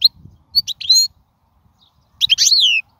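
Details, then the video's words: Wild European goldfinch song used to train young birds: a few bright twittering notes, a pause, then a rich burst of high liquid twitters ending in a falling slur. "من أقوى اغاني | طائر الحسون | البرية"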